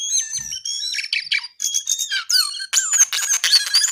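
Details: Brown-eared bulbul singing continuously: sliding whistles, squeaky notes and fast buzzy trills in quick succession, growing denser towards the end.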